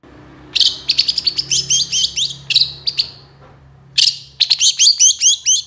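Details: Long-tailed shrike song with many imitated phrases, made for tutoring other birds: quick runs of bright, hooked whistles and chirps, broken by a short pause before a second lively burst.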